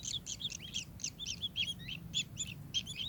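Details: Kingfisher giving quick, high, whistled chirps, some with a sliding downward inflection, repeated roughly twice a second over a constant low drone.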